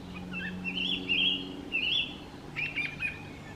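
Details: Collared flycatcher (Ficedula albicollis) at a garden nest site; the male uses song to draw the female to its nest hole. Several high, twittering warbled phrases, then a scratchy chattered burst, over a steady low hum.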